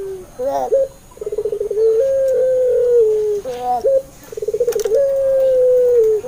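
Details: Lure recording of a puter pelung dove, meant to prompt hesitant doves to answer: two phrases, each a fast throbbing trill that swells into a prolonged level coo, separated by short bent notes.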